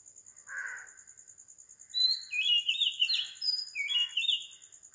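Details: Oriental magpie-robin at 4 am on a tropical island, Sri Lanka: a soft lower chirp opens, then after a pause come bright whistled phrases with descending slurs and quick trills. A faint high pulsing tone continues throughout.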